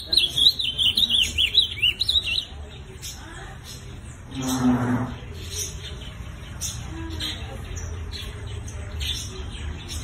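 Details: A captive ultramarine grosbeak in Campo Grande, Rio de Janeiro, Brazil, gives a quick, rich warbling phrase for about two seconds. Then comes a brief low, moo-like sound and faint scattered clicks and noise.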